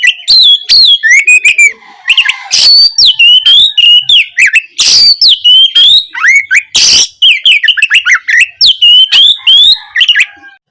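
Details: Oriental magpie-robin singing continuously in gacor style as master material for provoking a silent kacer. Rapid stream of whistles, chips and upslurs punctuated by harsh rasping bursts.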